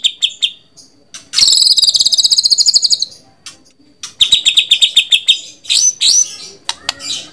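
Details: White-rumped shama singing a loud, varied phrase of rapid trilled notes at high pitch, a fast buzzy rattle, then sweeping whistles and upslurred notes.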